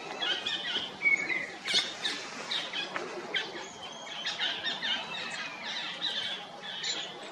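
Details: Stripe-throated yuhinas (Yuhina gularis) perched in forest at Jabberkhet, Mussoorie, give busy, scratchy chirps and squeaky notes, bursts every half second or so, high-pitched, with other forest birds mixed in.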